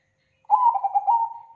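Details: Zebra dove giving a lure call, described as thick, loud and clean: one stuttering cooing phrase of quick pulsed notes that ends in a smooth, fading, level coo, clear against silence.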